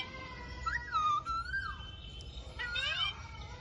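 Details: Alexandrine parakeet giving drawn-out, wavering, speech-like whistles, a long bending note, a brief pause, then another harmonic phrase that dips and rises.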